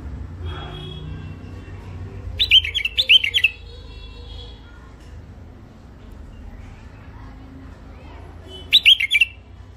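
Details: Two separated phrases from a first-isolation mule finch with a thick throat: each a rapid run of bright chirps rising into looping trilled notes, with soft background calls and hum.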